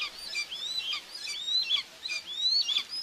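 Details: Two common buzzard chicks being fed by their mother at a nest in Tiszalök, Hungary, on 2 June 2024, recorded by a nest cam; piercing rising whistles overlap against a hissy background.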